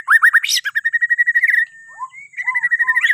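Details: Morning song of a Bornean white-rumped shama, played so other birds start singing: a quick series of repeated whistled notes merging into a steady high whistle, followed by lower slurred notes.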